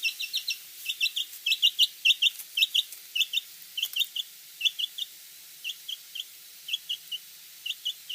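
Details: Chicken: bright, high, short peeping notes, often paired or in quick triplets, repeated irregularly about every half second over a quiet background, with a few faint clicks.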